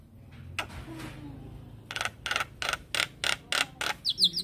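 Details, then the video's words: Caged Black-winged Starling in full song, kept for training, giving a run of harsh broadband chattering notes at about three per second after a quiet start, ending with a few high whistled notes. "Jalak Kebo gacor manggut Manggut Bikin Semangat Jalak Kebo macet Bunyi"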